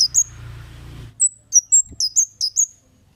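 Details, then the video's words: Kemade calling briskly with high 'cit' notes, used as a lure to get other birds to respond. A low rumble fades out after the first second, then eight sharp, high, downslurred chips follow quickly. "Suara Burung Cit Kemade GACOR--Pancingan Cit Keres"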